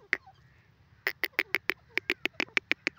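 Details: Grey francolin (teetar) calling with a single harsh note, a brief pause, then a quick run of rasping clucks at a steady pace of about six per second in otherwise quiet surroundings.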